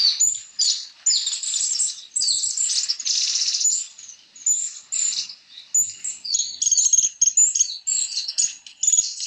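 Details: Black-faced Warblers (Abroscopus schisticeps) splashing and bathing in Yunnan, China, giving very high, thin twittering calls in rapid, nearly continuous bursts, seemingly several birds chattering together.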